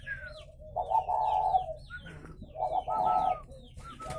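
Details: Spotted doves kept at a breeding farm in Ba Vì, Hanoi, Vietnam, giving two loud rolling coo bursts between thin falling whistles, against a faint low hum.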